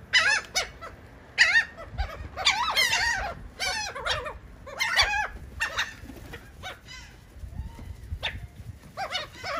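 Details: Gulls eating cake in Atlantic City, New Jersey, giving loud bursts of harsh squealing and yelping calls separated by brief pauses, several birds overlapping, over faint background noise.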